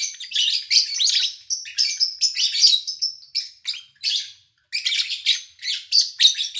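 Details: Lovebirds kept by an owner, recorded in August 2019 during a quiet spell with little human activity: dense, loud, scratchy high chirping, rapid harsh bursts tumbling one after another, with one short pause midway.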